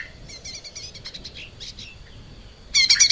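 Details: Captive lesser green leafbird singing for a training recording for cage birds. Soft, rapid, warbled notes and twitters are followed by a sudden loud burst of dense buzzy chattering at the end.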